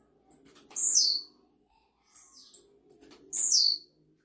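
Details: Blue-black grassquit singing repeatedly, song style possibly campainha: two loud, high, buzzy phrases, each sweeping downward, separated by a short pair of fainter notes, with a low background hum.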